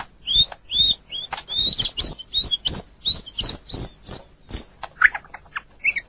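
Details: Murai batu (white-rumped shama) from a long training recording, softer here: a steady series of high, thin, rising whistled notes repeated about every quarter second, ending in brief mixed chirps.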